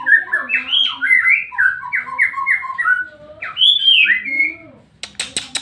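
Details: White-rumped shama song used to provoke another shama: a fast sequence of repeated down-slurred whistles, a louder swooping phrase, then a few sharp clicks at the end.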